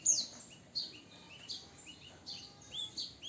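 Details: Javan bush lark, nine years old, producing soft, high, slurred chirps and short rising-falling whistled notes spaced about half a second apart against a steady background hiss.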